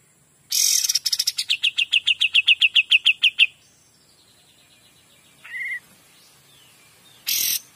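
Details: Kapas tembak delivering 'gacor dor' song: a noisy opening flourish gives way to a fast string of crisp high chirps, followed by quiet gliding whistles, a short lower note and a final harsh burst.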